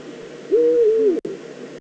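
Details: Calling Eurasian eagle-owl in the Eifel, Germany, 22 September 2014, likely a female at the nest scrape. One loud, sustained, hoarse call with a gently wavering, slowly falling pitch lasts about two thirds of a second, then quiet hiss and brief clicks.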